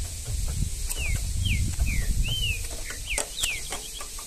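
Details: Wild green-winged saltator in Brazilian scrub sings a string of clear downslurred whistles at a steady pace, partly masked by heavy low wind rumble and occasional clicks.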